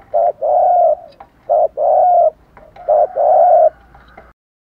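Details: A lure spotted dove gives its coo, used to provoke wild birds to answer: three loud phrases, each a brief clipped note then a long even hooting coo, followed by a pause.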